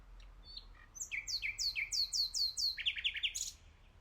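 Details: Common nightingale singing: a few soft introductory notes, then a run of about nine rapid repeated whistled notes with sharp downward sweeps, ending in a quick bright flourish; faint low background hum.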